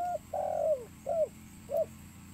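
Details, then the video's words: Spotted dove call played to lure birds: soft, low cooing, a longer drawn-out coo followed by two short rounded coos, over a steady background hum. "burung tekukur suara mp3 💯 ampuh dan jernih untuk memanggil burung"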